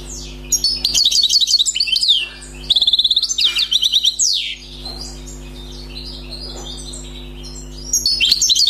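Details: Wild-caught European goldfinch delivering rapid buzzy twitters and trilled phrases in several bursts, a quieter gap in the middle, then resuming at the end; low steady hum throughout.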